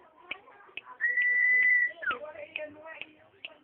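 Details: Common iora, known as cipoh, drawing out a level whistled note for nearly a second before a short falling slur, with busy lower chattering and clicking sounds around it.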